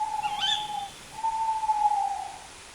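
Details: Night-time tawny owl with a brief high upswept note, then two long, level, round hoots, the second lasting well over a second.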